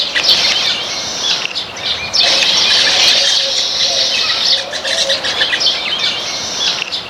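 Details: Backyard Baya weaver flock eating grains: busy, high-pitched chattering with many overlapping short chirps, irregular and ceaseless, rising in intensity after the first couple of seconds, with occasional faint wing flutters.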